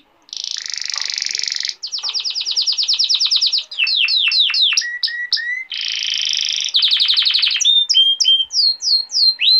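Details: Male canary tutor song for young canaries and for courting females: a loud buzzy block opens, then a fast even trill, downward-sweeping whistles in quick runs, another buzzy stretch, and spaced slurred notes.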